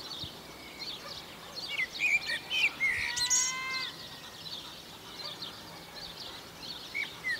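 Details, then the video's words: Common blackbird singing on Chios: short fluty, warbled phrases with squeaky high twittering notes, fairly faint over a steady background hiss. "kotsifas chios"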